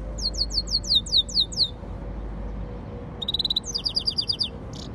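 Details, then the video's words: Yellow-fronted canary and canary hybrid giving a series of high descending slurred whistles, then after a pause a fast buzzy trill and rapid repeated chirps, with low background hum. "طائر الياسمين الموزمبيقي x كناري mulet mozambique xCanary"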